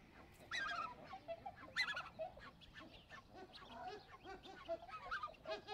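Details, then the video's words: Black-necked Swan giving soft, wheezy whistled calls, with several other waterfowl honking and chattering in the background. "Black-necked Swan (Cygnus melancoryphus)"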